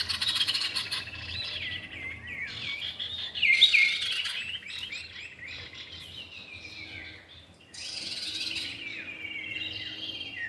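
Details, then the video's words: Common iora, male and female, in a lure recording: fast high chattering and slurred whistles, a louder burst of bright notes early, a short lull, then dense chirping resumes with descending notes. "pikat burung cipow jantan dan betina"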